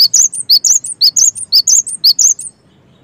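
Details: Energetic cinereous tit song in gacor style: clear, shrill double notes repeated rapidly and evenly for two and a half seconds before falling silent.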